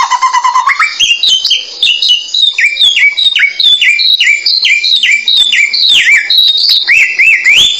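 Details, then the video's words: Samyong bird song for masteran training: a low buzzy note rising into a long run of quick, clear, downslurred whistled notes, each repeated about every third of a second, with some sharp clicks. "Mastran burung samyong"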